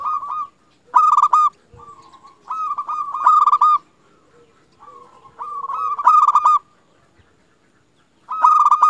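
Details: Lively local zebra dove song meant to stir other zebra doves to sing: repeated clusters of fast, stuttering, vibrant cooing notes, rising in loudness within each phrase, with soft, low hums between and a brief silence.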